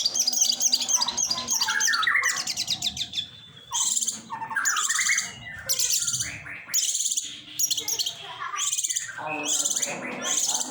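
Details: Long-tailed shrike singing a loud, rambling medley of raspy buzzes, chattering rattles and squeaky slurred notes in bursts of one to two seconds, separated by brief gaps, over a faint background hum.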